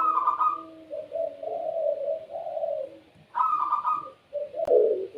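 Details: Barbary dove of the pelung type calling gacor-style: a bright, rich opening burst, then a sequence of low, wavering coos, repeated once, ending with a click and another coo.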